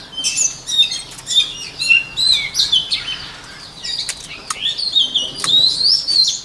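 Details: White-rumped shama song used for voice training: bright whistled phrases rising and falling, interspersed with sharp clicking notes and short gaps, the phrases growing longer and more ornate toward the end.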